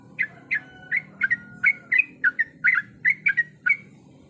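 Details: Female yellow-vented bulbul calling the male: spaced, sharp chirps, some doubled, about three per second, with a faint thin whistle in the middle and low background hum.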